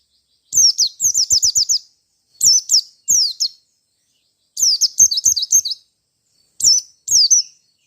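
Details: White-eye from Merapi singing in fighter style to seek a rival: high thin chirping phrases, some as quick runs of five or six notes, others as paired sharp notes, with brief silences between bursts.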